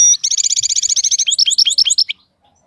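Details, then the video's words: Fast run of buzzy, ringing high notes repeated about ten times a second, then a few slower slurred chirps before stopping, from a European goldfinch described as a wild-type bird with a faultless song. "حسون خلوي خالي من الأخطاء"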